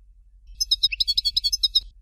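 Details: European goldfinch singing in the Algerian Dalya style of Fort de l'Eau: a dense, fast run of high, bright, tinkling notes about 1.4 seconds long. There is almost no background noise.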